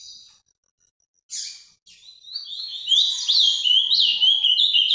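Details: Ultramarine grosbeak kept in captivity in Brazil, Paraná song type: a soft opening note, a sharp burst, then an unbroken, strong stream of rapid warbling with notes swooping up and down.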